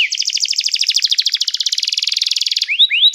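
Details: Canary song used to train canaries and call others to sing: a long, very rapid buzzy trill of uniform pulses lasting over two seconds, ending in two clear rising whistles.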